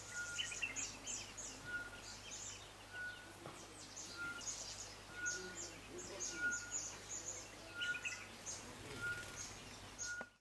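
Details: Stuhlmann's green white-eyes (Zosterops stuhlmanni) give thin, very high chirps in quick overlapping bursts over a short tone repeating about every second and a low hum; Kibuye, Rwanda, March 2013.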